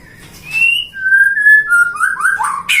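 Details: White-rumped shama bred in captivity in Depok, Indonesia, a favoured contest songbird: pure whistled notes, a long level whistle held about a second, then fast tumbling descending phrases ending in a sharp note.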